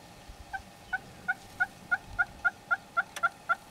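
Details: In Kruger National Park, a Red-billed hornbill gives a long run of clucking, hollow notes, about four per second, steady in pitch and slowly quickening.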